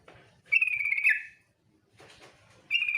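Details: A single harsh, buzzy trill about a second long from a female yellow-vented bulbul's 'ngetir' lure call. The next note begins at the end, with faint murmuring in the gap.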